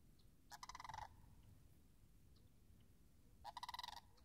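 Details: Sandhill cranes calling near frozen marsh wetlands on March 26th 2019: two loud rolling, rattling bugles about three seconds apart, each roughly half a second of rapid pulses, over a low steady rumble.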